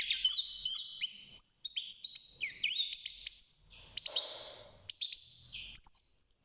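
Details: Six-month-old European goldfinch in a cage, newly singing: lively high twittering phrases of clipped, tinkling notes, a soft rustle near the middle, then a short pause before the twitter resumes.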